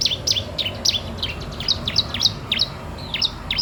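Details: Lively bar-winged prinia song for tutoring or luring birds, a steady run of sharp high downslurred chirps about three per second over a noisy low background.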